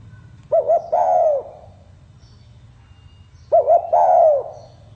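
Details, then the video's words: Spotted dove singing in the 'pha kim' song style: two phrases, each two short hooting coos followed by a long, drawn-out coo that slides downward, about three seconds apart, over a low background hum. "Tiếng chim cu gáy giọng pha kim"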